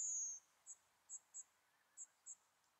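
Yellowhammer: a thin, high drawn-out note slurring slightly downward, followed by a few short, very high ticking notes at uneven intervals.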